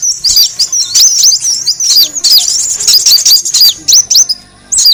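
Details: Kolibri wulung sunbird lure sound for drawing birds in: bursts of high, quick, looping chirps, closely packed, then a short pause near the end.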